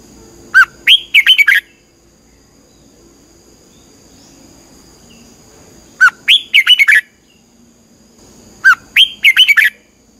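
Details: Training song of a red-whiskered bulbul used to teach birds, three identical phrases spaced several seconds apart, each a downward note followed by a fast series of looping whistles, with a steady faint hum between.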